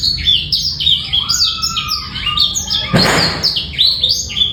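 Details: Black-throated canary male in full song, meant to train juveniles and prompt female breeding readiness; quick high warbling with a lower sustained note running beneath, and a short broad rustling burst at around three seconds.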